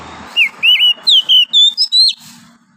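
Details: Oriental magpie-robin, a wild forest bird, giving its morning song: a lively sequence of seven clear whistles, swooping downward at first, then stepping higher, with faint background hum.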